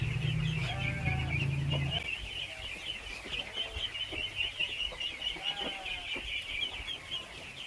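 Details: Crowd of ducklings eating, their shrill peeps running nonstop; a loud low hum and a voice at the start, then scattered lower drawn calls and clicks.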